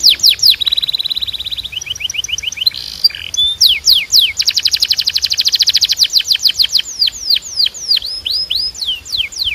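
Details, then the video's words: Singing Belgian canary: brisk descending whistles, a short lower trill, then a long even run of rapid clipped notes followed by spaced, falling whistled slurs. "Your Belgian Canary Might Sing NON-STOP After This"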